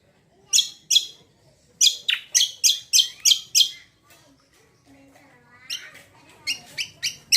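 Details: Greater green leafbird song intended to provoke other birds to sing: bursts of loud, scratchy chip notes, a rapid run of six, soft twitters in a lull, then another quick series.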